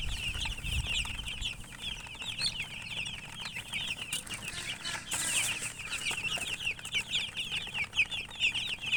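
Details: A flock of coloured chickens chirping nonstop, dense high peeps crowding together for nine seconds, with a brief hiss of rustling noise midway and soft low rumble throughout.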